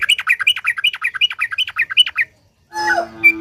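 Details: Sooty-headed bulbul song used to stir other bulbuls to sing: fast, even chatter of paired whistled notes for two seconds, then a short pause and a rougher, noisier burst.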